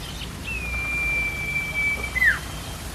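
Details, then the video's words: A common iora, called cipo locally, sings persistently in a recording meant to lure and train young songbirds. It gives one long, even, high whistle that breaks into a short downward-slurred note at the end, against a soft background hiss. "CIPO GACOR!! CICOK UNTUK PANCINGAN BURUNG BAHAN"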